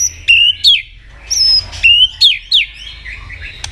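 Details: Competitive singing by a white-rumped shama. Clear rising whistles alternate with sharply falling notes in quick pairs, separated by short gaps, with a few click-like accents.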